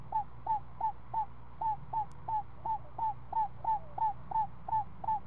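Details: Nest sounds of screech owls feeding a seven-day-old owlet on snake: brisk, evenly spaced hooked chirps, roughly three per second and all alike, over a droning low hum.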